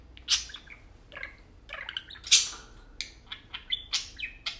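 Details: Two tame pet parakeets at play, lively chattering of chirps, squawks and warbled notes, uneven bursts with quiet gaps.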